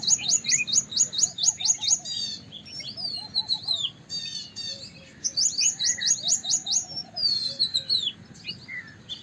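White-browed wagtail giving loud, high, rapid chipping notes in quick runs, mixed with slurred whistles and twitters. Faint lower notes from another bird sound in the background.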